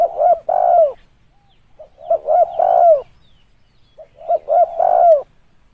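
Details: Spotted dove lure call, clean and close: three phrases, each a couple of brief coos then a long, full coo sliding down at its end, separated by short silent pauses.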